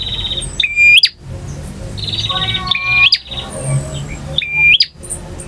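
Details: Male bar-winged prinia (prenjak jantan) in long varied song styles, ngotot, ngalun, variasi and kristal: high buzzy trilled phrases with a sharp rising whistle, repeated about every two seconds, with brief harsh bursts between phrases.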